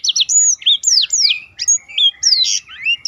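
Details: Black-throated canary delivering a continuous rolling song of rapid whistled sweeps, downslurs and upslurs strung closely together, recorded as a tutor for contest birds.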